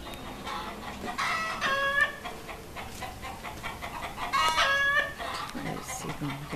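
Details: Chickens squawking: harsh, harmonic squawks in clustered bursts near the second and fourth-to-fifth seconds, with softer clucking notes between and faint voices in the background.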